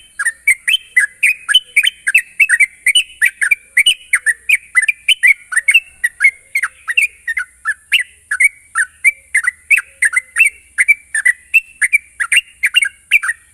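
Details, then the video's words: Sooty-headed bulbul lure for fast ngropel singing: a long unbroken stream of cheerful, bouncing whistled notes, roughly three to four per second for over thirteen seconds, steady hiss underneath. "pancingan burung trucuk bahan agar cepat ngropel"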